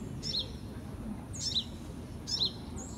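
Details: A sunbird chick, recorded in 2018, calls three times with quick piercing two-note chirps spaced about a second apart, set against a low, even murmur of ambient noise.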